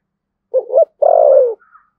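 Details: Thổ sấm spotted dove of Đồng Nai, Vietnam, in Thúc Gù style: a double pickup note, then a long descending coo, followed by a faint high thin sound.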